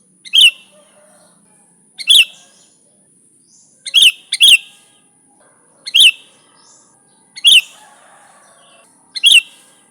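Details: Sooty-headed bulbul (kutilang) song recorded to lure other bulbuls, with seven sharp, bright chirping phrases spread over ten seconds, two in a close pair. Faint soft twitters and a constant high-pitched hiss sit underneath.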